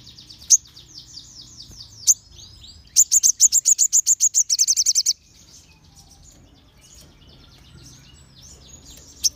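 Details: Crimson sunbirds in a group, sung to draw other sunbirds into answering: soft high twittering, then a loud rapid trill of sharp thin notes lasting about two seconds, followed by quieter scattered chirps.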